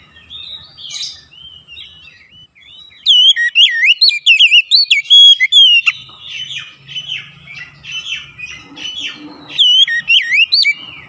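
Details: Provoking lure song of an Oriental magpie-robin, used to stir other magpie-robins into song: a loud, rapid medley of rising and falling whistles from three seconds on, continuing in varied chirps and phrases to the end.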